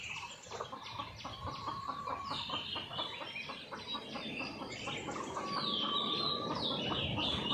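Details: Red junglefowl watched from a hidden camera, lively on a morning after a storm. Steady clucks repeat about twice a second, with a thin held whistle and bright chirps from other birds above them.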